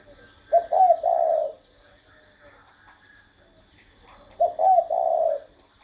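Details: Pair of low, soft coo phrases from a spotted dove, spaced about four seconds apart. Each is clipped and two-noted at the start, then a long trailing coo, with a faint background hiss and a steady high tone.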